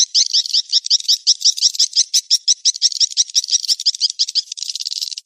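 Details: Swiftlet mating-chase lure call: a fast steady stream of high, buzzy chirps, nearly three per second, merging into a continuous twitter toward the end, with a clean background.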